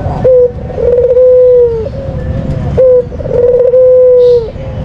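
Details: White dove, a popular cage bird in Indonesia, giving a lure call: a short coo followed by a long, steady, level coo, the pattern repeated twice over rumbling low background noise.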